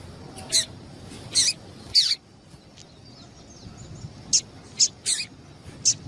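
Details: Double-collared seedeater female call, used to warm up males so they sing. Short piercing high notes come in a run of three, then a quiet gap, then four more spaced about half a second apart.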